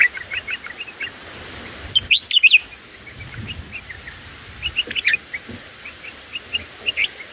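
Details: Nestling black-headed bulbuls calling while a parent feeds them at the nest, a run of short, high, evenly spaced chirps broken by a brief louder, excited cluster of sharp notes.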